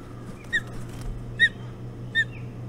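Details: Ospreys at their Hog Island nest at 05:09 on 11 June 2017, during an early-morning feed on a bullhead: three sharp, high whistled chirps spaced under a second apart over a steady low hum.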